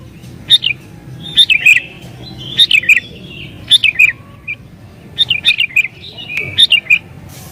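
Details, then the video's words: Agitated sooty-headed bulbul song used to call wild bulbuls: clusters of sharp chirps and slurred notes, spaced about a second apart, over a soft low background rumble. "Burung Kutilang Gacor Isian Cocok Buat Pikat Burung Kutilang Liar"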